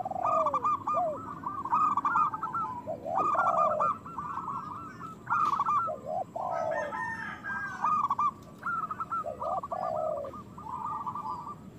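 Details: Local zebra doves, whose song is used as therapy for quiet or moulting birds, deliver repeated rolling trills in loud phrases separated by short gaps. Deeper curved coos mix in throughout.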